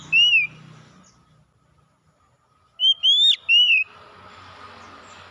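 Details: Oriental magpie-robin gives a single loud whistle falling at the end. After a quiet pause comes a burst of three rich whistled notes, rising then dropping, over faint low hum.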